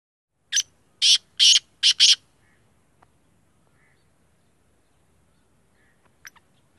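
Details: Black francolin calling: a grating phrase of five harsh, buzzy notes, the last two close together, followed by near silence with faint distant chirps.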